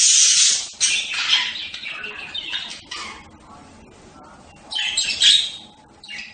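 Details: Budgerigar making a loud burst of grating chatter at the start, softer warbled notes, a pause, then another short scratchy outburst.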